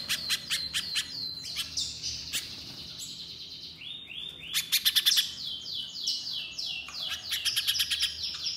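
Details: Little spiderhunter singing energetically: bursts of sharp, high clicking chirps alternate with rapid, slurred downward notes and short trills, the rhythm fast and uneven, over a faint low background hum.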